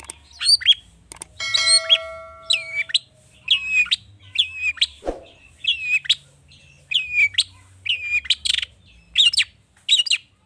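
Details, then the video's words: Long-tailed shrike, used as a lure to set other birds singing, gives a series of clear whistled phrases that dip and rise, repeated about every second, with one ringing tone early on and a single sharp click. "Pancingan cendet emosi, full isian mewah‼️ bikin burung anda cepat gacor‼️"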